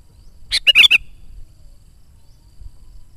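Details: A kept sooty-headed bulbul, recorded as a lure for wild bulbuls, gives one quick bubbling phrase of four rich notes, then falls silent against a faint low hum.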